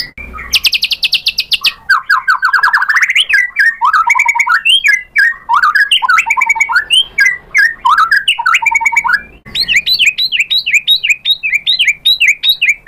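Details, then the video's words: White-rumped shama singing a long, loud, varied song: a fast buzzy rattle, then rapid rising and falling whistled phrases, ending in quick high repeated chirps. "PANCINGAN MURAI BATU biar EMOSI NYAUT jadi GACOR BONGKAR ISIAN | SHAMA BIRD"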